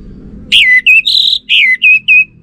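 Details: Orange-headed thrush song used as a lure for caged birds; males respond to it. Six loud whistled notes, several slurred downward, one harsh and buzzy, spaced about a quarter second apart.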